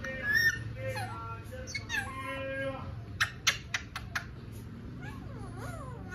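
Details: A male talking parrot mixing whistled, gliding notes and word-like sounds with a burst of sharp clicks midway, over a low background hum.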